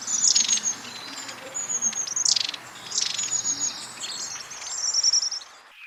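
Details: Long-tailed tit giving short, high-pitched, repetitive contact calls used to keep a group together: very thin, high see notes with several dry, buzzy, rattling bursts at irregular intervals, and no other clear sounds.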